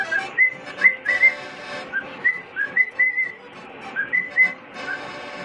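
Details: A 5-year-old male cockatiel sings for his owner, whistling a string of clear, bright notes, some rising and some gently warbled.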